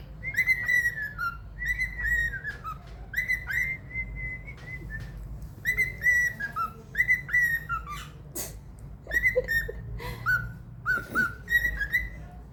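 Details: A hand-fed pet cockatiel, indoors in February 2024, whistles the learned tune 'Another One Bites the Dust' during training, almost perfectly. It gives clear, bright phrases of short notes that dip and rise, about once a second, over faint indoor hum.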